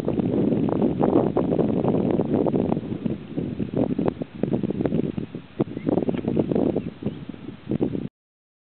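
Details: Black grouse at a lek near Kuusamo, Finland, in June 2008: a dense, low, continuous bubbling rumble of rapid pulses that dips briefly midway, then swells again before ending.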